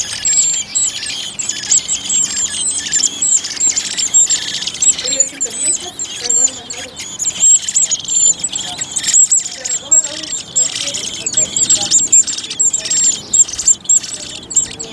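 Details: Eurasian blackbird family with a second brood of four young, in a garden near a bird feeder on Whit Monday; continuous very high, thin ticking and chirping, steady and insistent, with softer lower warbles midway.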